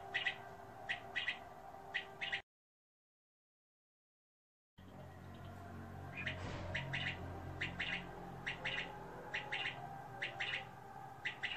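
King quail giving short, high chirps in quick clusters, repeated about once a second, over a low steady hum; a brief silent break interrupts.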